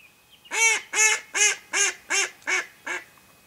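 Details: A hen mallard used as a live decoy in duck hunting gives seven loud, nasal quacks, about two to three per second, the series slowly fading and shortening toward the end.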